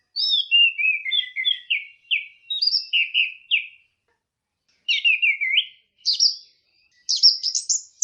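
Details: Orange-headed thrush in teler-style song: a rapid string of short, chipping, descending whistled notes, a pause, then quick clusters of sharp, rising, high-pitched chips repeated several times.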